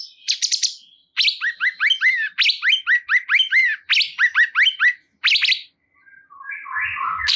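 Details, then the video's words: Cungkok bulbul delivering a long rhythmic string of short hooked whistled notes with buzzy overtones, roughly three a second, followed by a pause and softer scratchy notes. "Cungkok Kurang Emosi !! Silahkan Putar Dijamin Burung Cungkok Anda Langsung Ikut Gacor"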